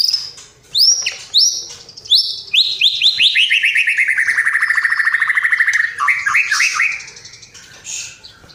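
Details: White-rumped shama in a tutor recording of a bird in full song, with mimicry of sparrows, fighting lovebirds and the kapas tembak. Bright whistled notes leap high, then a long rapid run of ringing notes slowly descends and ends in quick falling chips.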